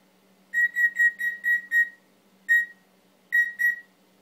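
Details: Pet male Timneh African grey parrot, which mimics many sounds, whistles six quick, even, identical notes in a row, then one lone note, then a final pair.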